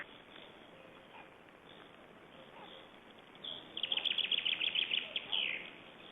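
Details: Black storks in Estonia at feeding time at the nest, 20 May 2012: after a quiet stretch, a two-second burst of rapid, high, scratchy pulsed calls repeated many times a second, over steady background hiss.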